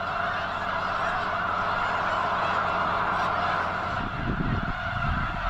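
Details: Dense chorus of honking snow geese from a huge flock near the eastern end of Potholes Reservoir, likely staging before migrating north; calls overlap continuously, with some low rumbling noise near the end.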